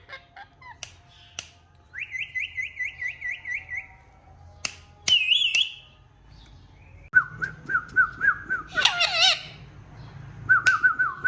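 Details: Pet Indian ringneck parakeets mimicking speech in bright, wavering syllables and trilled whistles, with some harsh squawks mixed in.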